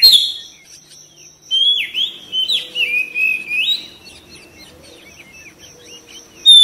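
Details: Oriental magpie-robin (kacer) singing, meant to coax other birds into responding and singing: a burst of clear, sliding whistled notes in the middle, with quieter faint chirps before and after.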